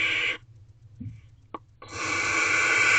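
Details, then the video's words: Owlets hissing in a nest box at night at 10:33 pm as a parent owl brings a rodent; broad breathy hisses at the start and again from about two seconds on, with a short faint click between. "Hissing Sounds Again. Is it the Owlets?"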